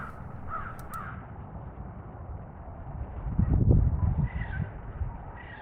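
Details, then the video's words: A crow's pretty call, heard as a pair of short, soft tonal notes early on and two more near the end, set against constant low roaring noise and a louder rumbling burst in the middle. "This Crow Makes A Pretty Sound"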